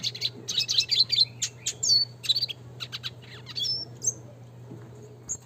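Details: Rapid, rolling, high twitters and chatter from a classic red siskin singing gacor nembak ngeroll as a training sound, thinning out to a few isolated notes toward the end, with a faint low hum.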